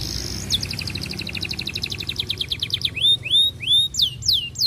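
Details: Canary singing to a female as a lure for other canaries: a steady high note, then a rapid two-level trill of clipped notes, finishing with loud rising and falling whistled sweeps.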